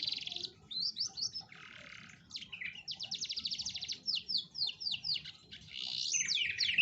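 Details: Lure song of an Atlantic canary for prompting a lazy canary to sing: loud rolling phrases mixing buzzy notes, a rapid rattling trill, and descending whistled slurs, repeated in varied bursts.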